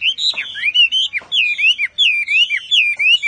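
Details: Loud, clear whistled phrases from a Chinese Hwamei, sliding up and down in strong, ringing notes given in quick series, the bird singing very intensely.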